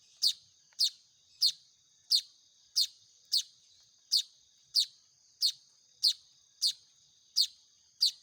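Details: Hand-fed Baya weaver chicks begging in a steady series of about thirteen shrill, clipped chirps, evenly repeated roughly every 0.6 seconds above a continuous thin high-pitched tone.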